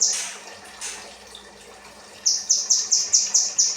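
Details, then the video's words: Kinoi song used as 'rambatan' training material for cage birds: after a faint start comes a crisp run of eight identical high, sharp notes, about four or five per second, each note falling slightly. "burung kinoi materi rambatan"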